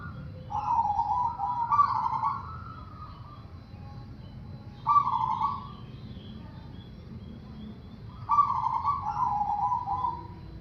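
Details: Zebra dove (perkutut) singing so that other doves join in: three rolling, trilled coo phrases, each lasting one to two seconds, spaced roughly three seconds apart.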